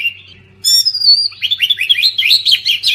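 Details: Brief oriental magpie-robin song aimed at silent birds: a sharp, piercing whistle breaks a low hum, then a quick cascade of bright, choppy, warbling notes follows.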